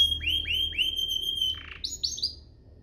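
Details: A domestic canary sings, offered as a tutor for young canaries and to prompt others to sing. Clear, high whistled notes slur downward in a repeated series, then a short buzzy note, then quick rising chirps.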